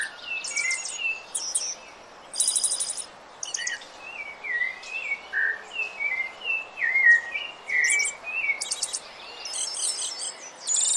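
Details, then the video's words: Rufous-bellied thrush, Turdus rufiventris, song used for training birds: a run of short clear whistled phrases, rising and falling, given about once a second, with loud high buzzy rattling bursts from other singers before and after. "SABIÁ - CANTO PARA TREINAR SEU PASSARO"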